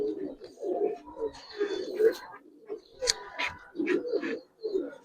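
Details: Budapest highflyer pigeons in their loft keep up a run of short guttural coos in uneven pulses, punctuated by a few sharp clicks and flutters.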